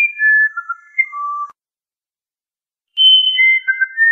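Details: Clear whistled phrases from a musician wren, sliding between high and lower tones in short sequences, a silent gap of about a second and a half, then another descending whistled phrase; quiet background.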